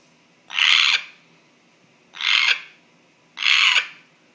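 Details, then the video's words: Male pet African grey parrot giving an unexplained strange noise: three loud, rasping, breathy bursts of about half a second each, roughly every one and a half seconds, in a quiet room. "The African Grey (Making Strange Noise)"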